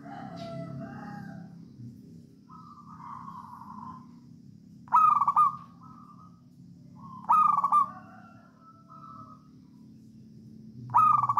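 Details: Wild local Javan zebra dove cooing in 'songgo ratu' style as a lure to make other doves sing; soft low coos, then three loud rasping phrases about every two and a half seconds, each trailing into a short rolled coo.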